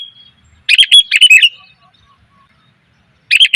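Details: Female sooty-headed bulbul calling males, recorded as a lure: a thin whistle, a long run of quick jumbled chirps, then a fresh phrase starting after a short pause.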